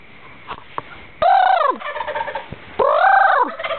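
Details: Wild turkeys roosting in trees in woods at night, pitch dark, gobbling in reply to noises: two loud, arching, rattling gobbles about a second and a half apart, with faint clicks and a steady background hum.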